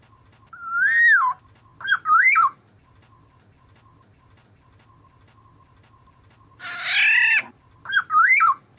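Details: Black-naped Oriole lure sound to make other orioles answer: mellow fluty whistles that swoop up and down, a long harsh nasal squawk about five seconds later, then more liquid whistles, with a faint steady hum beneath.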